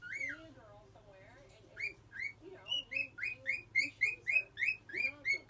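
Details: Pet cockatiel learning to whistle: a short low warble, then a run of about a dozen bright rising whistled notes repeated in a quick, fairly steady rhythm, growing louder toward the end.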